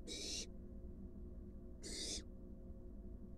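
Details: Wild barn owl at a nest box as an adult delivers a large rat to its fledgling. Two rasping, breathy hiss-screeches about a second and a half apart, with a constant low background hum.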